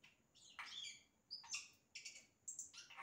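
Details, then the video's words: Yellow-rumped cacique singing imitations of other sounds: harsh broadband bursts alternating with short high whistled notes and clipped chirps, phrases spaced roughly half a second apart. "Xexéu Cantando imitações"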